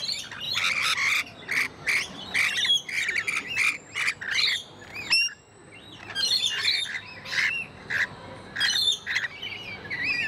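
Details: A flock of rainbow lorikeets at a wildlife park in Australia gives harsh, screechy chatter in rapid overlapping bursts of high, grating squawks, with a few thin whistled notes mixed in.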